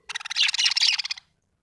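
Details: Happy budgerigar chattering in one rapid burst of rattling, buzzy chirps, about a dozen pulses packed into just over a second, then silence.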